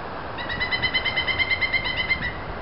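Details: Pileated Woodpecker in Bechtel Park, Waterloo, giving a rapid, even series of about seventeen loud, ringing 'kuk' notes over two seconds, over steady low background rumble.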